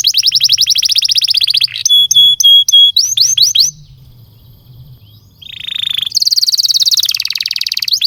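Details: Tutor song of a canary meant to prompt young birds and silent singers: a fast rolling trill, four slow clear whistles, a few upsweeps, a pause, then a buzzy rattling trill.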